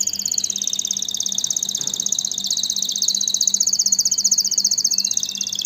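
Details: Canary singing one long continuous high trill of rapid even pulses, slightly wavering in pitch over several seconds, with a faint background hum.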